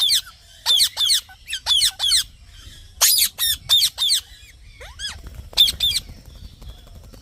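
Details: Green parrot giving harsh, harmonic chirps in short paired bursts, about one burst every second with brief pauses, plus a few softer falling notes near the end.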